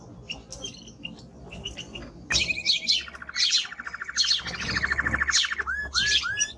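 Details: Timbrado canary in full song: sharp high chirps, then a long low rattling roll lasting about three seconds, closing with a few descending slurred whistles.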